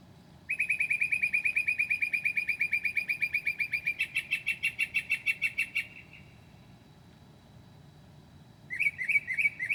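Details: Northern mockingbird's night song at 2 a.m. on 9 July 2008, full of imitations: a long fast series of repeated chip notes shifting to a higher buzzier run, a pause, then a short rapid burst.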